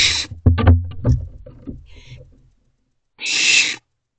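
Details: Owlets in a nest box at night, 28 May 2023, 1:56 am. Low thumping and scraping movement sounds give way to silence, then one harsh, hissing screech about half a second long.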